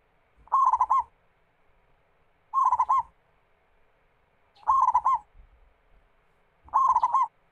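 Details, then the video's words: Local zebra dove in full song, played to coax other doves into singing: four regular cooing phrases, each a rapid rippling series closing with a drawn-out coo, repeated about every two seconds. "PERKUTUT GACOR MEMUKAU LAWAN"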